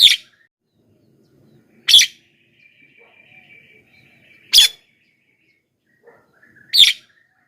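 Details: Javan myna lure calls: four short, loud, harsh chack notes spaced about two seconds apart, with a faint thin whistle in between.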